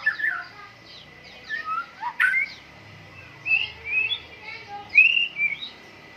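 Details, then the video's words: White-rumped shama in morning dew airing, a caged bird giving spaced rich whistled phrases, some sliding and rising, separated by short pauses, with a steady faint tone underneath. "MURAI BATU GACOR, PROSES BURUNG MURAI PENGEMBUNAN PAGI"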